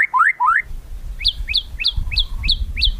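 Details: White-rumped shama kretekan used to provoke rivals: a few rapid rising slurs, then evenly spaced sharp upward-flicked notes about four per second over low background rumble.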